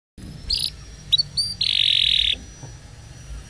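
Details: Canary song meant to train young canaries: a few short high chirps and slurred notes, then a dense buzzy roll lasting almost a second, followed by quieter scattered notes.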